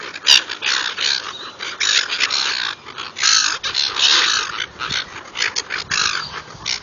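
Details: Gulls squabbling while being fed: many rasping, high-pitched squawks overlap in quick irregular bursts, with a few louder strident cries.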